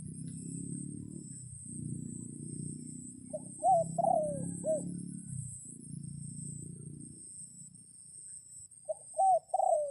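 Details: Red junglefowl rooster calling wild birds in rainy conditions, one full four-part crow with a long slurred falling note, then the start of another cut off at the end, over a low continuous rumble.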